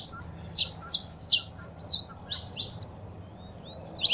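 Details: Saffron finches, female calling and male singing, played to rouse a pet bird: sharp high chirps in short bursts, then a pause and a final cluster of notes, with quiet low hum behind.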